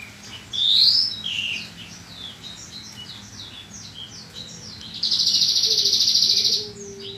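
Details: Bushlark song used as a training recording: a loud slurred whistle, then a long run of quick, soft, high chirps about three per second, ending in a loud, fast, buzzy trill.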